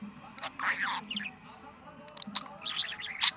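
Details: Budgerigar kept as a pet, chattering on 23 November: two scratchy, warbled bursts of mimicked speech separated by a quieter stretch, the last burst squeaky and rising, over a faint low hum.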